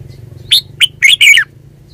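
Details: Red-whiskered bulbul phrase of four bright notes, the last two run together into a rich falling warble, over a faint low hum.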